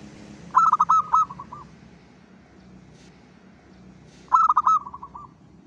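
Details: A local zebra dove at dawn, used as a lure call, gives two soft cooing phrases about three seconds apart, each a quick run of clipped notes ending in longer drawn-out coos, over faint background hum.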